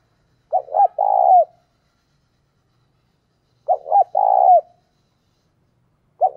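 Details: Spotted dove used as a decoy to lure wild doves, giving a clean cooing phrase: two short clipped notes then a longer rolling coo ending in a downward slur, repeated about every three seconds with silence between and no other sounds.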